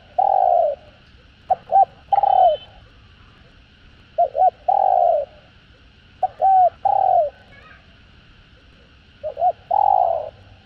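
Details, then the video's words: Spotted dove in the full calling, urging and excited cooing sequence, used to stimulate other doves: loud rounded coos alternating with short paired clipped notes, in bursts spaced about two to three seconds apart, over quiet background. "Tiếng Cu Gáy Giọng Hạp BổI ĐỦ BÀI [ GÁY GỌI,THÚC,GÙ ] Kích Bổi Nhanh Nổi"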